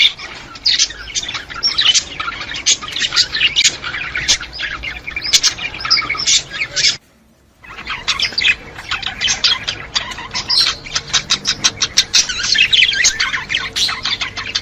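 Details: Budgie warbling used to stimulate budgies: continuous busy twittering and squeaky chirps, broken by a brief near-silent gap about halfway, then resuming just as dense, with a low steady hum underneath.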